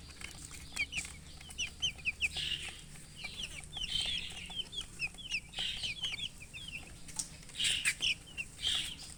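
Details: Several baby chicks chirping while thirsty for water: clusters of sharp high peeps mixed with louder, rougher squeaky bursts every second or two, over light background clatter.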